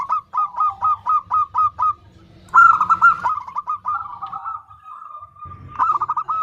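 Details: Female zebra dove calling for a male: seven quick, clipped coos, a short gap, then a longer rolling, trilled phrase that trails off into a level, drawn-out note.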